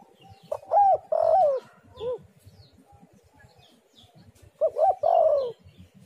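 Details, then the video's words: Spotted dove (tekukur) calling to lure other doves: an arched coo, a long wavering coo and a short rounded coo, then the phrase repeats after a pause, with faint small-bird chirps behind. "tekukur super gacor suara indah"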